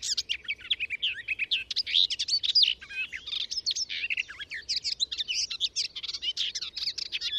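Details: Garden warbler giving a long, fast warble of mellow and scratchy notes with no other sounds noticeable; the recordist says its song shows short pauses between phrases, less fluty phrase endings and delicate, Reed Warbler-like delivery, unlike Blackcap.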